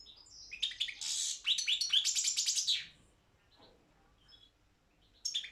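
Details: Competition song of a Balkan European goldfinch entered in an internet world championship for goldfinch song: dense, fast liquid twitter with shrill buzzy notes for about two seconds, then near-silence before a fresh burst begins.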